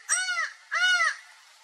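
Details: Laughing falcon, known in Brazil as acauã, giving two loud nasal arched notes in quick succession, each rising then falling and lasting under half a second, rich in harmonics, with a short gap between them and a quiet background.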